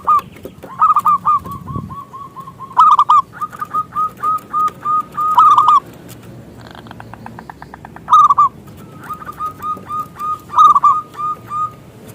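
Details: Actively singing local zebra dove, a lure meant to draw rival doves into song: repeated phrases of long, evenly spaced mellow coos, each opened by a louder stuttered burst, with pauses between phrases.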